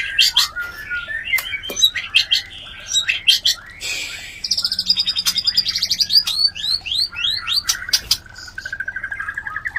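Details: Breeding call of white-rumped shama meant to bring other shamas into breeding condition: dense run of whistled notes and harsh clicks, with a rapid repeated chattering series in the middle.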